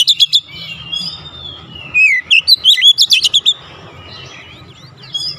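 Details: Oriental magpie-robin singing energetically, showing off its repertoire: a few sharp chirps, a sliding whistle, then a fast run of about ten clipped bright notes, fading to soft thin whistles over a low background hum.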